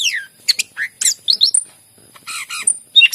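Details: Greater green leafbird song meant to coax quiet leafbirds into singing: varied high chattering, buzzy notes and clear whistles, some descending, others short and clipped, delivered in rapid bursts with brief gaps.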